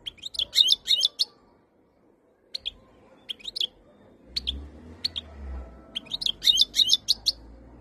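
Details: Khaloui-style song of a European goldfinch from Algeria, ready to mate: quick jingling twitter phrases open and close the passage, with scattered sharp, high notes between them and a soft low rumble in the background.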